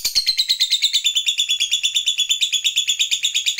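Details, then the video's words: Fighter-type lovebird delivering the long ngekek chatter prized by hobbyists and played to stimulate other lovebirds: a rapid, evenly pulsed, piercing trill of about three notes per second-fraction, held steady and unbroken throughout. "BANYAK LOVEBIRD LANGSUNG BUNYI, Setelah DI RANGSANG Dengan Suara Lovebird ini"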